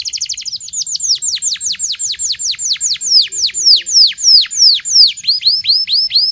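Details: Local canary singing a lively training song meant to teach young canaries, a fast run of short notes, then steady series of downward-sweeping whistled trills repeated about three times a second, bright and clear with no other sounds.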